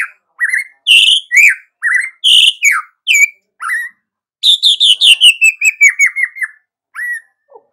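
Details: White-rumped shama in vigorous song to stir other birds in the morning: loud varied whistles and slurs, then a fast descending series of repeated notes ending in a low note.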